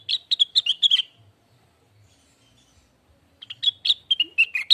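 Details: Lesser green leafbird tutor and provoking song for training caged birds: two bursts of rapid, high chirping notes, one at the start and one at the end, separated by about two seconds of near silence.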